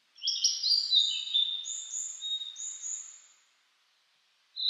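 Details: Blue-and-white flycatcher in a spring mountain forest after rain, cloudy and 14°C, 2022; one long phrase of clear descending whistles followed by two high sweet trailing notes, then silence and a brief new start.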